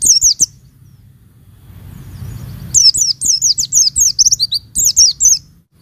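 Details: Oriental white-eye female calling males, used as a lure to rouse lazy caged males: rapid runs of very high, thin, wavering chirps, a brief opening burst, a pause, then a long dense series.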